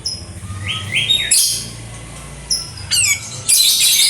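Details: {'text': 'Kapas tembak singing: short whistled notes that slur upward, cut by sudden loud hissy high-pitched bursts and trills, with a soft hum underneath.'}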